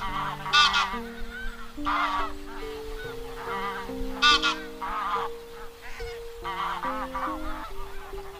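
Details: A flock-gathering call of wild geese, used to lure birds into nets: repeated gabbling honks with two loud piercing peaks, layered over a slow sequence of sustained musical tones.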